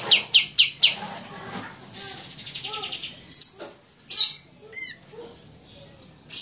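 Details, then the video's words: Pied trillers, recorded as a lure, call back and forth: a quick run of four sharp, high descending notes, then scattered buzzy phrases and chirps answering each other. "Kapas Bunyi Saut Sautan"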